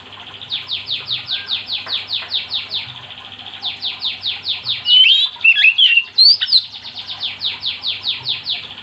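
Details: Oriental magpie-robin in lively 'gacor' song, used as a training recording to get other magpie-robins singing: a run of quick descending whistled sweeps, about one and a half per second, then a burst of sharp varied twittering notes and more sweeps.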